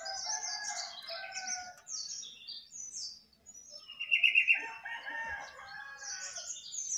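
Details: Jongkangan perched on top of its cage, singing loudly and continuously: a rapid run of high, chirping and warbled phrases, then a brief pause before another burst of bright twittering and buzzy notes.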